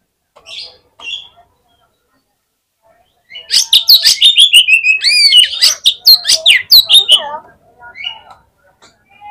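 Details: Fighter Oriental magpie-robin singing on a contest hanging pole, a song said to quickly set other magpie-robins off. A few soft chirps, then a dense four-second burst of loud whistled notes, rapid sweeps and harsh clicks, tapering into scattered quieter notes.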